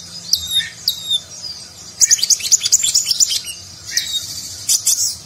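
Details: Nagen-style konin sunbird song for training competition birds: a few clear whistled notes, then a dense, rapid twittering passage of high chips before spaced calls resume.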